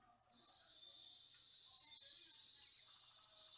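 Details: Eurasian blue tit song, a hole-nesting tit of riverside, Atlantic and oak forests, parks and gardens in the Montaña Palentina: a thin, very high sustained note breaking into a fast, bright trill near the end.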